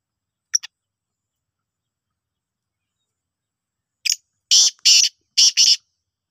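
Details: Black francolin call: two faint clicks, a long silence, then a loud series of harsh rasping bursts. The bursts come as one brief note followed by two close pairs of broad grating syllables, all in about two seconds.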